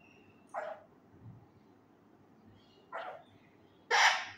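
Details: A talking male Indian ringneck parakeet kept at home: two short harsh squawks about two seconds apart, followed by a louder, sharp screech.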